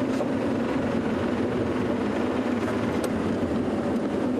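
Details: A steady engine rumble, like a vehicle or aircraft, with no animal voices.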